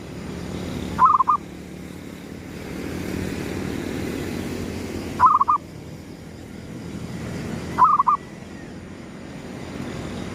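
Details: Zebra dove of gedong mengo style calling as a lure at daybreak: three brief, bubbly coo phrases spaced several seconds apart, with a steady low rumble, possibly traffic or engines, throughout.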